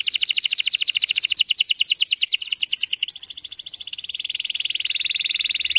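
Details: Canary song in the tight, rapid-burst style used as a lure to bring young canaries quickly into full song: a dense high trill of fast repeated notes, switching after three seconds to a higher rolling trill, then a lower buzzy roll. No other sounds.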